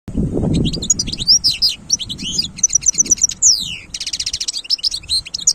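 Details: Wild European goldfinch singing a fast, dense twitter of high tinkling notes, buzzy trills and sharp descending slurs, nearly nonstop, over low rumbling background noise.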